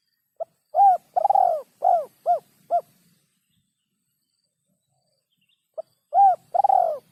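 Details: Spotted dove cooing as songbird training audio: a phrase of a short note, rolled and falling coos and short clipped coos, then silence, then the next phrase beginning.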